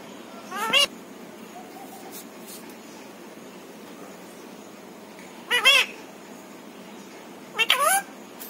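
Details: Pet parrot makes three short, strained, speech-like utterances spaced several seconds apart against a quiet indoor background.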